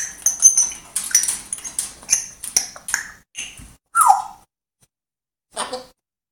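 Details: African grey parrot making animal sounds: a run of short, varied chattering notes and high squeaks, a clear falling whistle near the end, then a brief final call, with pauses between.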